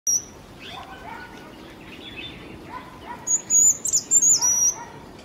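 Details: Jerdon's bush lark singing in Kerala, India: a high, thin, warbled whistled phrase of several linked notes arrives after a few seconds, over soft lower chirps from other birds and steady outdoor background hiss.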